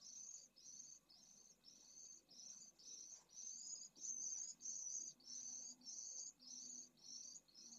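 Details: In a breeding colony at a school in Jerez de la Frontera, Spain, under heat above 45°C, a pallid swift chick asks for food: a long run of scratchy, high-pitched buzzes repeated at an even pace.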